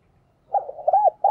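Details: A decoy spotted dove calling to provoke wild doves gives a brief run of low, hollow coo notes, swelling into a drawn, slightly arched coo, then another note starts.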